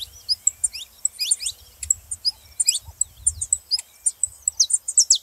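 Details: Saffron finch song played to stir reluctant canaries into singing: sharp, high chirps and quick down-slurred notes in irregular bursts, with faint low rumble beneath.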